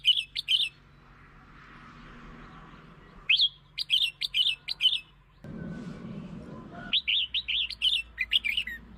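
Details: Red-whiskered bulbul song to lure and provoke birds, short bursts of lively whistled notes, then longer runs of four to six bright rising-falling notes, with a stretch of rumbling noise in between.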